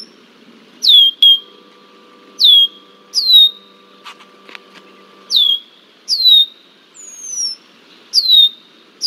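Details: Red-winged blackbird scolding a bald eagle in Iowa on 20 July 2023; steeply descending whistled notes repeated roughly every second or so, with a brief low electronic hum and crackle partway through.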